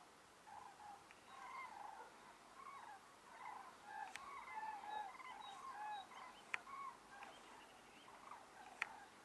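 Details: Flock of common cranes (Grus grus) at Podlipoglav, 25 February 2024, giving overlapping rolling, trumpeting calls, many birds at once in a continuous chorus, with a few sharp clicks between.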